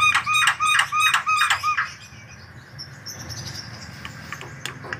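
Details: Energetic white-vented myna singing, played to draw song from other birds: a handful of rich, ringing repeated notes in the first two seconds, then only faint scattered chips.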